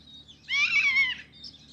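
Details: A Singing Cisticola in Karura Forest, Kenya, gives one loud, slightly arched, harsh note lasting about half a second, with faint high chirps from other birds in the background.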